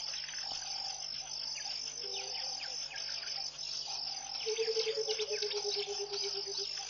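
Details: Early-morning song of a Burchell's coucal at Pete's Pond in Botswana's Mashatu Game Reserve, January 2014. Deep, evenly spaced hooting notes pour out in a descending two-second run near the end, while dense high insect trilling fills the background.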